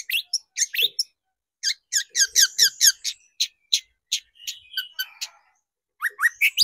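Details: Long-tailed shrike song from a lure meant to excite shrikes. Squeaky, scratchy notes come in uneven bursts with short pauses, then a final run of rising chips.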